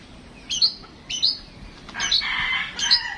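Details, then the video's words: Home-raised caged Oriental magpie-robin (kacer) mixing two high whistled notes with a harsher, buzzy, scratchy phrase before a final sharp whistle. "tes mintal burung Kacer rumahan"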